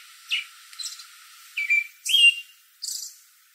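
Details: American robin calling from a tree in the evening while other robins respond: a few thin high notes followed by clear whistled slurs, then a high squeak.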